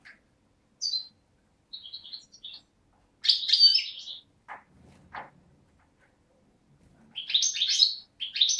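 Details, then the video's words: Young European goldfinch (parva type) hatched 2011, from Beni Snassen on the Morocco–Algeria frontier, recorded 8 January 2012, sings bright tinkling phrases of high twitters and buzzy trills broken by short pauses, indoors. "chardonneret parva"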